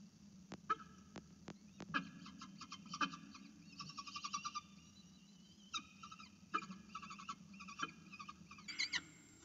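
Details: Falcon at the nest calling to be fed, picked up by a camera: sharp clicks, then a long series of quick, grating, repeated call notes in clusters, with a steady low hum beneath.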